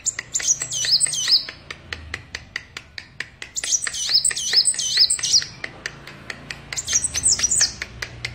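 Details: Van Hasselt's sunbird singing vigorously: high, thin whistled phrases with quick sweeping notes in bursts, over a steady run of sharp dry clicks about twice a second.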